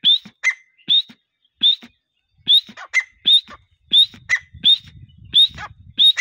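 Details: Partridge call used by hunters as a lure: clear, sharp whistled notes rising steeply, often followed by a lower short note, repeated in pairs roughly every three-quarters of a second, with soft low rustling in the background.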